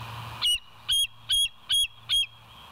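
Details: Bald eagle at West End, live camera recording from 27 September 2023, 07:02 in the morning. Five loud, high, thin piping notes follow one another roughly every 0.4 seconds over a faint low hum.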